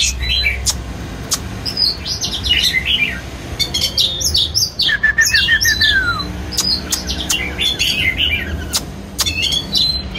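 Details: Oriental magpie-robin singing as it dances: dense high twitters and sweet slurred whistles, one long descending whistle in the middle, and sharp clicking notes throughout.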